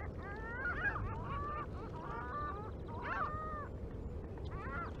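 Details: American white pelicans on the Mississippi River flyway, 1 April 2021, live camera; a flock gives overlapping nasal, wavering calls, some rising then falling, over constant low-frequency background rumble.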